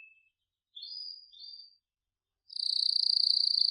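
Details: Singing canary gives two brief whistled phrases, a pause, then a bright, fast, pulsing trill held steadily to the end.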